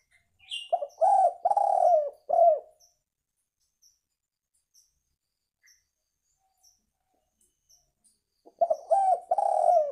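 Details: Spotted dove call used to lure birds: two bouts of low, soft, rolling coos, each a short run of several notes, separated by a long near-silent gap with faint clicks.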